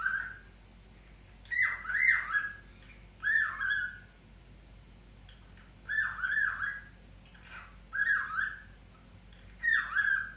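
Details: Cockatiel giving loud two-part whistled calls, each a quick rising then falling note with a second dipping note, repeated roughly every one and a half to two seconds over a quiet low hum.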